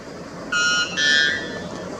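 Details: A white bellbird, a bird of the mountains of the north-eastern Amazon whose call has been recorded at 125 dB as the world's loudest, gives two loud, metallic, horn-like notes in quick succession over faint hiss.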